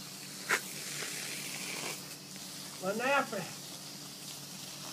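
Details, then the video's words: A hand-raised Sulphur-crested cockatoo, scared of garden hose water, gives a short, speech-like phrase, a rough, wavering utterance of about half a second, over a steady hiss with a couple of sharp clicks. "Sulphur-crested Cockatoo talking when scared of the garden hose"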